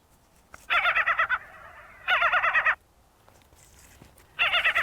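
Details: Ring-billed gull on the beach at Crystal Cove State Park, California, gives three bursts of rapid, dog-like yelping barks, each of about six harsh notes, with quiet pauses between.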